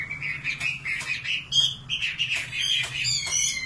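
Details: {'caption': 'Common nightingale singing: a run of short chirping and whistled notes, some sliding upward, with sharp higher clicks, over a steady low hum.'}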